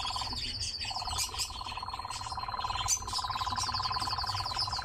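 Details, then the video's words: Continuous rattling churr from a captive nightjar, with a brief gap near the first second before the pulsed trill resumes and carries on. High, wavering whistles and chirps from other birds overlap it. "Пение и танец козодоя"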